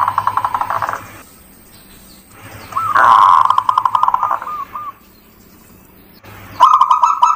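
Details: Local zebra dove song used as a lure to stimulate other birds: rolling, trilled coo phrases near one kilohertz, with a fuzzy noisy stretch at the start and a low steady hum throughout.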